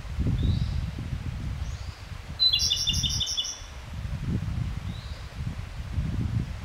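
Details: Japanese robin subsong with a few faint, high, thin notes spaced apart, and a rapid rattling trill of repeated high pulses near the middle, all over a continuous heavy low rumble that swells and fades.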